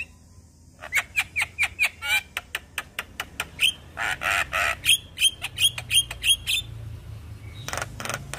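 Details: Young Asian pied starling singing all day: fast series of sharp clicking notes with whistled tips, a couple of harsh noisy screeches in the middle, then more ringing clicks and a final rasp.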